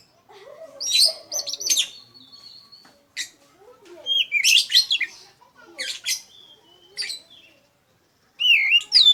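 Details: Kacer kendit or poci, an Oriental magpie-robin in full gacor song, ngeplong style used to lure others: clear whistled phrases mixed with scratchy chatter, rising and dipping notes in bursts with short gaps, ending on a looping whistle.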